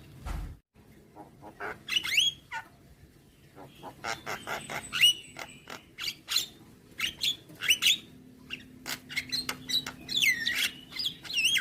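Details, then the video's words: Javan myna song full of varied material: scratchy clicks and chatter interleaved with clear whistled slurs that rise and fall, delivered in irregular bursts throughout. "Dengar Kicauan Jalak Kebo Maput Full Isian"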